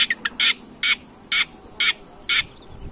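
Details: Long-tailed shrike song played to provoke singing: short harsh, buzzy bursts repeated about every half second, preceded by a few brief clicks, over quiet background.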